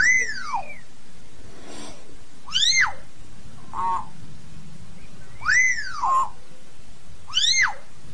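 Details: Common hill myna singing to call its flock: four loud arched whistles, each rising then falling with ringing overtones, about two seconds apart, with a short nasal note between them and a low background hum.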